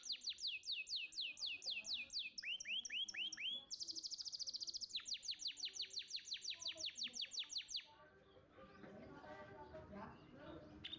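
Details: Champion contest canary song used as training material to prompt young canaries to sing: fast repeated high trills, sweeping whistled notes, and rapid buzzy rolls, ending after about eight seconds in a softer, noisier jumble.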